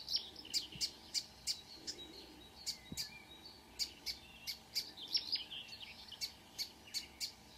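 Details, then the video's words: Marsh warbler singing early morning, 2 June 2009, Kråkstad, Norway: a regular series of crisp high ticking notes about three per second, broken by brief warbled flourishes. "The song of a *Acrocephalus palustris* Myrsanger / Marsh Warbler"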